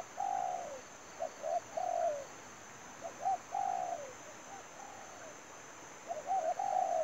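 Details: Decoy spotted dove used to trap wild doves, giving loud, mellow coo phrases of short notes and longer falling coos, with a few pauses between bursts. Steady high-pitched whine throughout.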